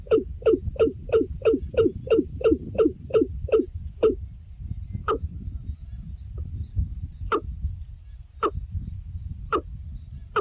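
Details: Secretive watercock of the wetlands calling: a fast string of about thirteen deep, gulping clucks, then sparser single notes a second apart, with faint higher chirps and a low rumble in the background.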